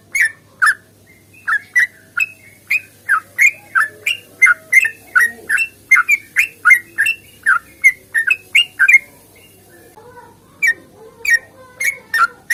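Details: Yellow-vented bulbul, long-phrase fighting song used to get kept bulbuls singing; a long rapid string of short bright notes with a brief pause near the end, then more chirps resuming.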